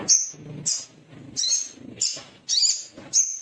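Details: Agitated male little spiderhunter calling to find a rival. Short, high, sharp chips come in bursts about every half second to second, over a faint low background rumble.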